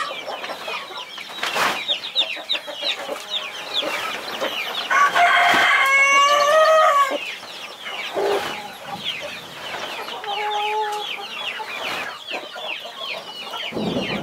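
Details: Hen protecting her brood of 21 chicks: constant shrill descending peeps from the chicks, a louder drawn-out harmonic hen call around the middle, then softer clucking notes beneath the continuing peeping.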